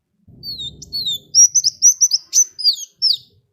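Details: Sunbird song (kolibri wulung), meant to set other birds singing: a pair of drawn-out falling whistles, then a fast run of short sharp high chips and slurred notes. Soft low rumbling comes early on.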